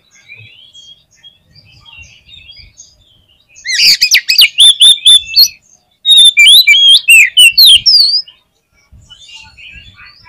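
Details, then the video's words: Kacer (Oriental magpie-robin) in full 'gacor' song: two long loud bursts of rapid, varied chattering, sweeping whistles and harsh notes, about two seconds each, framed by quiet faint chirps. "SUARA KACER GACOR"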